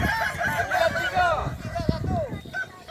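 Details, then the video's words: At a Kukuak Balenggek crowing contest final in Solok, boko class, roosters give long wavy crows that dip and rise, overlapping one another, with people talking and a sharp knock partway through. "Final lomba ayam kukuak balenggek kls boko"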